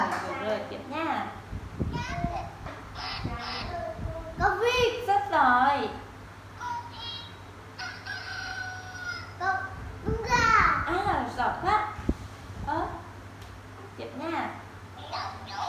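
A rooster crows with a rising then falling cock-a-doodle-doo, mixed with a woman's and a child's speech.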